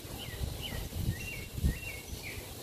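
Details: A tropical mockingbird sings from a balcony in Parque Lefevre, Panama City: a run of short, varied slurred whistles, rising and falling, several each second, over a heavy low rumble of wind or distant traffic.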